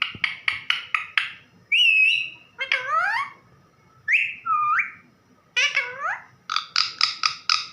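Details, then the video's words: Pet parrot calling out to its mother figure in the household: rapid bursts of raspy chattering notes, then clear whistled tones, sliding downward swoops and flat held notes, ending in another quick run of harsh chatter. "मिट्ठू मम्मी को बुला रहा |parrot calling mummy"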